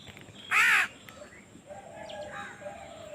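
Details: Baby crow begging during feeding: one loud, harsh nasal caw, then quieter, thin calls in the background.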